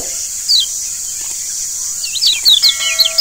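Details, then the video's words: Lombok yellow white-eye (kecial kuning) song played as a lure to make kept birds sing: thin, high, quick descending chirps, sparse at first then a rapid run near the end, over a steady high-pitched hiss. "Pancingan Kecial Kuning Ampuh Bikin Kecial Jadi Sehat Dan Rajin Bunyi"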